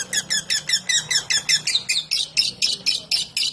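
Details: Lovebird giving its "ngetik" song, used as a lure for other lovebirds: a rapid run of harsh, squeaky chirps, about four per second, each note sharp and bright, over a faint low hum.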